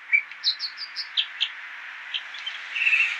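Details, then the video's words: American dipper, known as water ouzel, delivering a series of quick high repeated notes, about five evenly spaced, then a softer trill at the end, against steady hiss from mitigated road noise. "American Dipper (aka Water Ouzel)"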